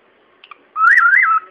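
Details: Pet bird whistling part of the theme tune of The Good, the Bad and the Ugly: a clear, pure whistled phrase that rises and falls twice in under a second.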